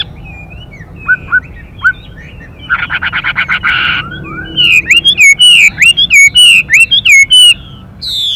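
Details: Chinese hwamei male singing as the female gives fast stimulating calls: scattered thin whistles, a harsh pulsed buzzing rattle, then a lively run of loud repeated slurred whistles.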